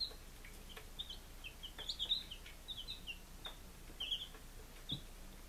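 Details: Baby chicks on their fifth day, Lunenburg, Massachusetts, 23 July 2017: scattered high, piping peeps, some rising and some falling, with quiet gaps and faint tapping between calls.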